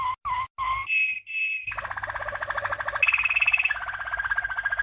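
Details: Champion Malinois canary from 1997 singing for young canaries: short dipping notes and two pure whistles lead into a long, bubbling, water-like trill that rises and then steadies.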